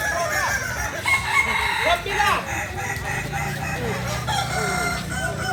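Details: Kukuak Balenggek roosters of Solok, West Sumatra: bursts of long, stepped crowing around the first and third seconds over dense clucking, with a low droning hum in the background.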